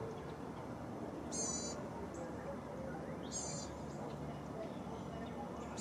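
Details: Bald eagles at the nest in daylight, male and female swapping their two-hour shifts of sitting on eggs: two short, high, stuttering chatter bursts about two seconds apart, heard over a steady low rumble of background noise.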